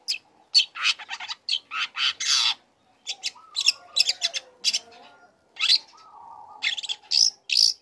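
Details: Young long-tailed shrike singing hard while learning song material, played to make other shrikes answer: grating, squawky bursts and chatters in uneven groups, with a short quiet gap and soft whistled notes behind.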